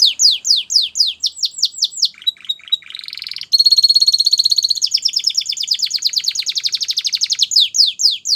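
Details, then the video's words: Singing Belgian canary delivering rapid falling whistles, a brief rising slur, then a long loud rolled trill that speeds into rapid pulsed notes before returning to falling whistles; clean recording with no other sounds. "Melodies Canary Bird Song | Belgian Canary Singing"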